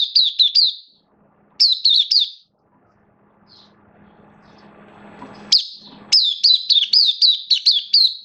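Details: Oriental white-eye kept in the bird hobby, recorded 11 September 2022 with form a little dipped; brisk phrases of high, descending twittery notes, a pause filled with low rustling hum, then a longer chirping run.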